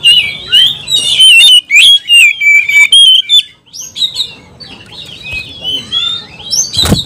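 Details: Oriental magpie-robin, highly emotional, singing a 'kanibal, mbagong, salto' song to rouse rival kacer. Loud piercing whistles in quick series for three seconds, then quieter twittering warbles and a final sharp burst.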